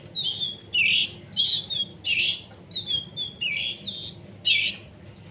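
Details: Young canaries, hand-fed while becoming independent, give a rapid run of raspy begging chirps, short harsh notes tumbling in uneven groups.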